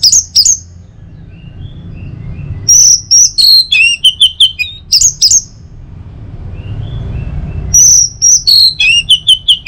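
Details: Morning song of an orange-headed thrush, meant to lure other birds into singing: rapid runs of piercing whistles and downslurred notes in two long bursts, separated by a pause with a soft low hum.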